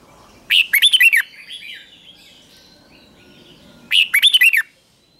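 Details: Morning training song of a red-whiskered bulbul, sung in fierce competition style; two identical brisk phrases of six or seven jaunty looping notes about three seconds apart, with faint whistles in between.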